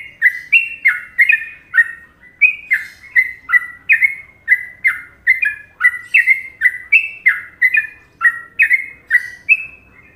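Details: Indonesian trucuk, the yellow-vented bulbul, singing its well-liked Trucukan rhythm: a long, unbroken run of rich gurgling whistles, each note sliding between two pitches, about two notes per second.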